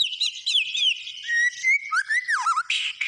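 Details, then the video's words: White-rumped shama singing gacor: flowing high whistles slur downward into a low swooping warble, ending with a harsh raspy burst. "SUARA BURUNG MURAI BATU GACOR"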